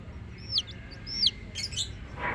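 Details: Domestic chicken chicks peeping: two clear high, downward-sliding peeps about a second apart, followed by a burst of fainter, scratchy chirps and a soft rustle over a low background hum.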